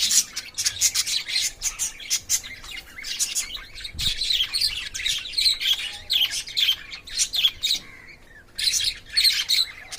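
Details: Playful, courting lovebirds in a cage chirp and squawk in shrill, rapid bursts, a steady high chatter broken by one brief quiet gap before resuming loudly.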